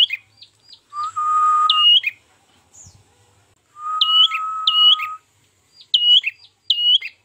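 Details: Trapping lure of an ashy tailorbird: sharp hooked whistled notes in pairs, interrupted by two long, steady, lower-pitched whistles lasting about a second each.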